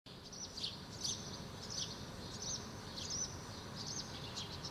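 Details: House sparrow parent feeding fledglings in a park in Helsinki, Finland, in June 2013; short high chirps repeated at uneven intervals of about a second, over steady low background noise.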